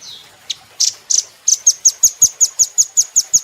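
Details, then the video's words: Velvet-fronted nuthatch used for training caged birds: a few rough, scratchy chips, then a long, quick, regular chain of about fourteen high, thin ticking notes. "Rambatan Doraemon Super Gacor"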